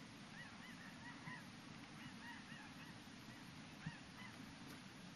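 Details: Flock of snow geese passing at sunset near Yellowknife on May 12, 2015: faint distant honking calls, short yelping notes repeated in loose clusters, over steady low rumbling background noise.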